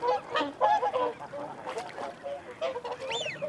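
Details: A flock of whooper swans calls while feeding and holding territory, alongside wigeon and mute swans. Dense, overlapping trumpeting honks run throughout, and a high whistled note rises and falls near the end.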